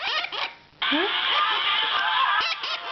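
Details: Baby mustached parakeets perched on the edge of their box beg while being fed oatmeal on 22 April 2009: a harsh, raspy, continuous squawking chorus that starts after a brief pause and barely breaks for two seconds.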